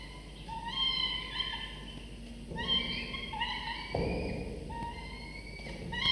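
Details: Morning feeding at a falcon nest: the father has brought prey and two 24 to 25 day old chicks beg with repeated long, slightly rising whines in overlapping bursts, with soft bumping and shuffling sounds.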